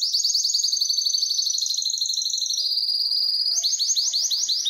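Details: Aroused canary in mating mood: a sustained, very fast buzzing trill with two layered tones gliding slowly lower, then switching to slower, looping upslurred notes.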